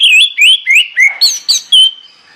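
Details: Orange-headed thrush singing in the morning, used to stir the bird into song: a quick run of loud, clear whistled slurs, some falling, some rising, ending in a drawn-out note.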